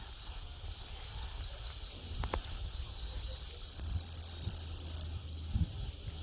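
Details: In open countryside a Saffron finch gives scattered high chips, then a rapid, bright, buzzing trill lasting just over a second before falling quiet, with a constant high insect hum behind.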